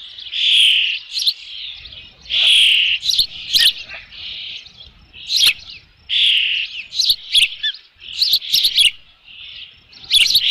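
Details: Osprey at the nest with a fish, recorded 3 June 2018 around 5 PM by nest camera; long high whistled calls alternating with bursts of short sharp chirps and clicks.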